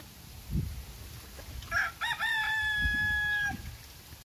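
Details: A bantam Phoenix chicken crows: two short opening notes, then a long, steady, level note held for over a second, with low thumps in the background.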